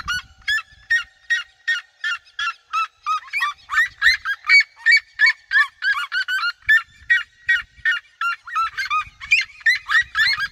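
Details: Red-legged seriemas, a flock in regional grasslands, chorusing around the person filming: steady run of sharp yelping barks, roughly three each second, several birds overlapping, little background noise.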